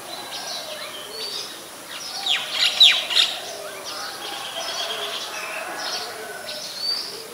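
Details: Oriental magpie-robin song in Ubon Ratchathani, Thailand, 28 October 2021, captured with a Nikon P1000: a short burst of three or four loud, falling whistles midway, surrounded by faint scattered high notes and soft background hum.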